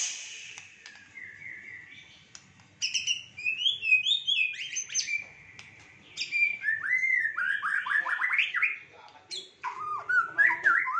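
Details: Fighter-style white-rumped shama song richly filled with varied phrases: quick sliding whistles, chirps and downslurred notes in rapid bursts, with short gaps between bursts.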